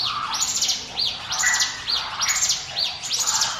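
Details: Hill prinia song meant as a lure for other birds; shrill upward-sweeping 'wit' notes in quick bursts, roughly one per second, bright and insistent.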